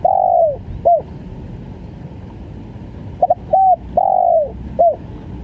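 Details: Spotted dove calling in the gagap full stuttering style: a long falling coo with a short hooked note after it, then a quick doubled note, a flat coo and another long coo ending in a clipped note.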